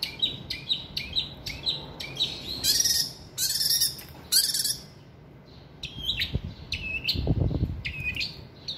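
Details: Kept long-tailed shrike, known for mimicking other birds, in full mimicked song with imitations of chickens, geckos and others: rapid repeated chirps sliding downward, broken by loud harsh buzzing bursts, then more quick descending chirps.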